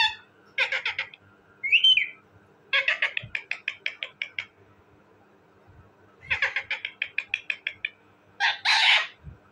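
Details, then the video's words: A talking parrot utters long runs of rapid, rhythmic chattering pulses interrupted by one short whistled note and closing with a harsh, broad squawk. "talking parrot bird,parrot ki awazz"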